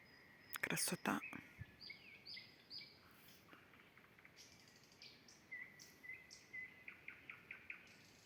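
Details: Common nightingale singing in the evening at a dacha garden near woodland: loud sharp clacks at the start, then varied whistled phrases and a fast run of repeated notes, with some background noise.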